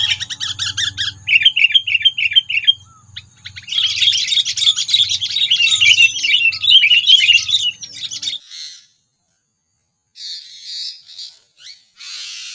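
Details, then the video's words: Sooty-headed bulbul lure calls used when trapping, meant to provoke predators: long, dense bursts of fast bubbly chattering, a brief silence, then scattered shorter notes. "SUARA PANGGILAN AMPUH PIKAT KUTILANG MEMANCING EMOSI PREDATOR"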